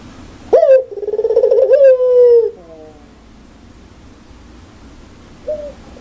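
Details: Loud, clear pelung-style spotted dove: a sharp upward note launches a throbbing, harmonic-rich coo that falls away into softer trailing notes, then silence and a brief faint coo.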